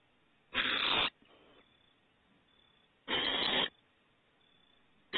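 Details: Owlets on their second outing outside the nest at Starr Ranch, April 21, 2018: harsh, breathy hisses about half a second long, two full bursts roughly two and a half seconds apart, another beginning at the end, with a faint softer rasp between.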